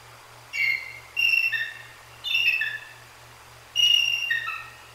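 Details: Bald eagle pair calling after a Great Horned Owl hits the sleeping female on her nest perch in Decorah; four bursts of high, thin, whistled chittering notes, each stepping downward, roughly every second, over a low mechanical hum.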